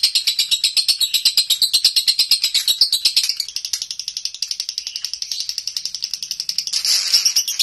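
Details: Lovebird raised at home, singing konslet, its continuous nonstop song. A rapid run of shrill, ratchet-like chirps sounds louder at first, then softer and thinner midway, and keeps an unbroken rhythm throughout.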